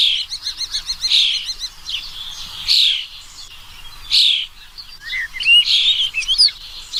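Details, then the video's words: Busy mix of bird sounds: rapid repeated chirps, harsh buzzy notes and thin whistled upslurs overlapping, over a continuous high hiss. "The sound of a bird"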